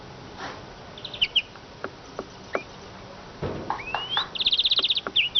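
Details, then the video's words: Sparse ticks and short upslurred whistles lead into a fast, tight trill near the end of this Eurasian siskin phrase. "iskete kusu sesi"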